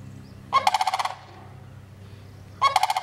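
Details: Two harsh, pulsed, rolling calls from a sandhill crane about two seconds apart, each a quick burst of rattling beats, with quiet background between.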